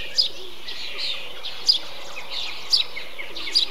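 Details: Eurasian tree sparrow in a bee-eater colony: four loud, clipped chirps roughly a second apart, over a soft wash of rolling calls from other birds.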